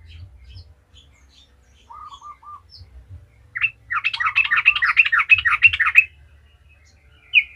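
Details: Sooty-headed bulbul singing vigorously as a lure to prompt other bulbuls: a few soft, low, repeated notes, then a dense, rapid, scratchy chatter lasting about two seconds, and a final chirp.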